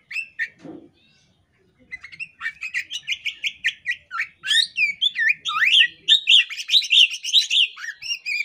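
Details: Female Oriental magpie-robin (kacer poci) in breeding condition, tail spread, calling in a way said to make males join in. Loud rapid series of buzzy chirps and slurred whistles, about two per second, growing busier and louder.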